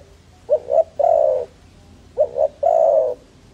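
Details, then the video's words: Dove cooing: two short low hoots followed by a longer drawn-out coo, the phrase given twice about two seconds apart, in a quiet setting. "Dove Video Sound"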